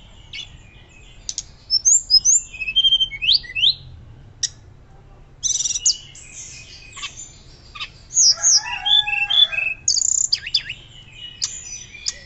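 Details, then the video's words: Hill blue flycatcher pouring out a loud, varied fluting song used to teach and lure other birds: long busy bursts of high slurred whistles, chips and short trills with brief pauses between. "Tledekan Gunung Gacor Nyuling Keras Cocok Untuk Pancingan Dan Masteran"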